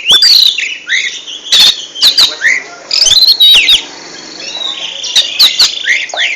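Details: Varied oriental magpie-robin song aimed at helping birds become national champions: quick whistles, slurred rising and falling notes, and hard clicks in uneven bursts over a background hiss.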